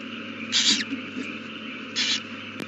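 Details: Owl at the nest with a newly hatched chick, 8:32 pm on 18 April 2019: two harsh, breathy hissing bursts about 1.5 seconds apart over a steady background hum.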